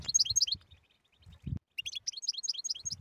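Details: Tetsetsa-style European goldfinch song meant to make silent goldfinches sing: a quick high twitter, a gap with a dull knock, then a longer stream of bright chirping notes.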